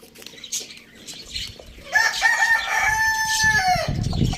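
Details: Rooster on a village farm where the chickens are eating tomatoes: after background clucking, one loud drawn-out crow with a steady, slightly falling tone, ending abruptly, over low rumbling noise.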